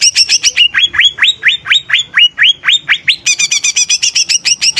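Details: Greater green leafbird singing vigorously: a long string of upslurred whistles, rapid and slightly uneven, switching at the end to a quicker chatter of high, split chirps.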